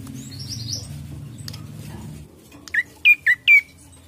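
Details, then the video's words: An Ashy prinia gives four sharp, high chirps in quick succession, each dipping then rising, after a couple of seconds of low hum and faint background noise. "Pancingan Bunyi Prenjak Coki"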